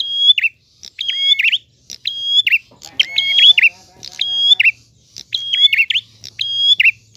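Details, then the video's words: Clear 'gacor ngalun' prinia song: a steady run of click-whistle-flourish phrases roughly once a second, the level high note doubled by a lower tone; a brief lower harmonic chatter intrudes near the middle, plus faint low hum. "Prenjak Gacor Ngalun. Suara jernih."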